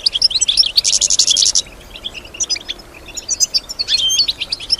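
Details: European goldfinch, a kept female answering nearby sounds musically, opens with a bright liquid twitter and a dense buzzy trill, then scattered thin chips and a second twittering phrase.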